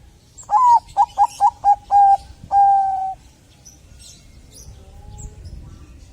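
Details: Zebra dove of the Bangkok type in full song, played to prompt other doves to sing. A long first note and five quick coos close with a prolonged steady coo, followed by quiet with faint distant chirps.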